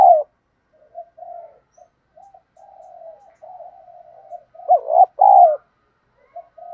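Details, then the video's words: Spotted dove giving thổ đồng-style lure cooing to coax newly caught birds: soft low hums building over several seconds into a loud, throaty double coo, then a few faint notes. "tiếng Cu gáy mồi giọng ĐỒNG"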